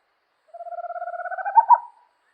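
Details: Owl giving one rapid pulsed trill, about a second and a half long, steady and mid-pitched at first, then rising slightly and ending in two louder emphatic notes, against a completely quiet background.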